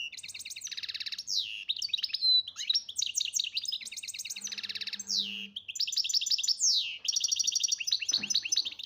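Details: European goldfinch from Algeria, referred to as chardonneret major, singing a fast, dense run of bright tinkling twitters and rapid trills, broken by short rising and falling whistled slurs and buzzy notes, with a faint low hum underneath.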